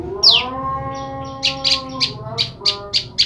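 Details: Separated female olive-backed tailorbird calling to her male partner. One loud downward-sweeping chip, then a string of shorter, evenly spaced high chips. A low droning hum sits underneath.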